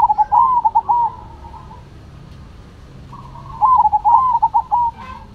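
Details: Zebra doves of the Cemani and Silver varieties singing energetically: two phrases of soft, fluttering, mid-pitched cooing notes, each a quick string of rolling, wavering coos, separated by about two seconds of quiet.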